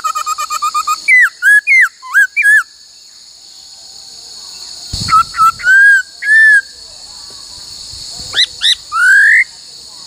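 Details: Laughingthrush during song training, singing many voices. Opens with a rapid stutter of notes and looping slurred whistles, falls quiet, then gives level whistles and a final long rising note, with constant high hum behind.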